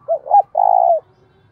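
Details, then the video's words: Spotted dove kept as a decoy, cooing to stir rivals into fighting: a rising short coo, a second quick coo, then a sustained, gently throbbing long coo ending abruptly. "Chim Cu Mồi - cu gay kich boi nhanh noi gù hieu quả, cu gáy thúc đấu"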